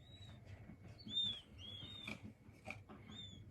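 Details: King quail chicks calling soothingly: a run of high, thin whistled peeps, some rising then falling, one louder than the rest, with soft tapping and rustling beneath.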